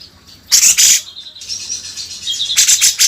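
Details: Cucak jenggot master song for tutoring other songbirds: harsh, high chattering bursts around a thin sustained whistled note.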